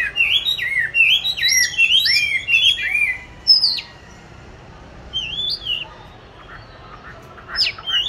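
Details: Oriental magpie-robin kept caged since 29 July 2020, training its song, recorded 22 March 2021; a burst of bright whistled phrases for three seconds, then quieter spaced single whistles and a final upward note.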